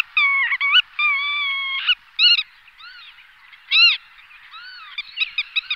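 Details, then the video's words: Black-tailed godwit calls: drawn-out nasal, slightly wavering notes followed by short arched calls and a rapid burst of clipped notes at the end, with other birds faintly audible. "Black-tailed Godwit / Limosa limosa"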